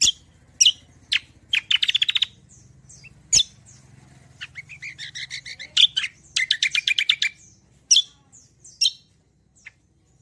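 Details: A kecial kombo sings loudly, a recording used as a lure and song model: sharp chips broken by fast rattling trills and a long rolling run of buzzy, high notes.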